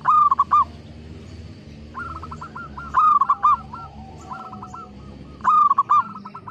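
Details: Local zebra dove in full song, used to prompt silent or lazy birds to sing: a short burst of rapid clipped coos opening each phrase, followed by softer rolling coos, phrases about every two and a half seconds, with other doves cooing faintly behind.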